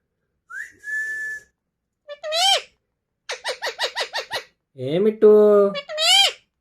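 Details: Green Alexandrine parakeets kept indoors as talking parrots: a rising whistle and steady tone, then a rapid run of repeated harmonic syllables and drawn-out, speech-like mimicked phrases with sharp upward sweeps.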